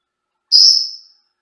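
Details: A pet Senegal parrot known to talk, meow and whistle gives one clear, high whistle lasting about half a second, rising slightly before it fades away. Nothing else is heard.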